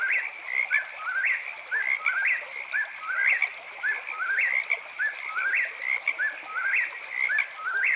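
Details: Night song of an eastern whip-poor-will, its whistled whip-poor-will phrase repeated roughly once a second, about a dozen times, with each phrase ending in a sharp upward sweep. A constant high frog chirping runs underneath.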